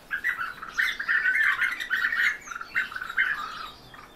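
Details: Captive European bee-eaters giving a dense run of short, rolling, purring calls, several overlapping in quick succession for about four seconds, mid-pitched and loud throughout.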